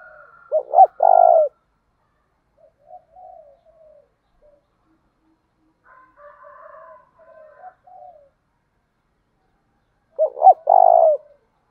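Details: Lure spotted dove, thổ pha đồng voice, calling to spur fighting: a full coo phrase of two quick notes and a long low note opens and closes the stretch, with scattered soft quavering notes in the quiet gap.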